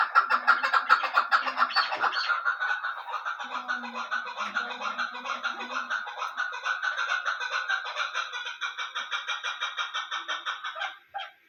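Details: Female chukar kept for hunting, giving a fast, steady series of short clucking notes, about two per second, sustained for roughly eleven seconds indoors.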